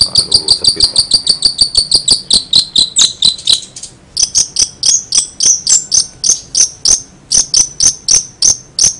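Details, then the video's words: Long-tailed shrike giving strange sounds: a steady series of sharp, high, ticking notes, about three per second, that slide into downward-bending chirps. A brief gap follows, then repeated rising, whistled chirps with a slightly insect-like quality. "cendet gacor suara aneh"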